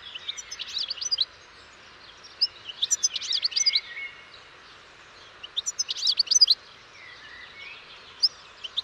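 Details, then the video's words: Four bursts of lively twittering from a European goldfinch, with fast, high, chattering notes strung together, one long phrase followed by shorter ones and gaps of near silence. "O canto do PINTASSILGO/GOLDFINCH SONG"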